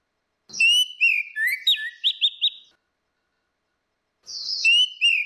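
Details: Ngeplong song of orange-headed thrush, female versus male, played as a lure: a run of varied whistles and quick high upswept notes for two seconds, a pause, then more high whistled phrases, clean background.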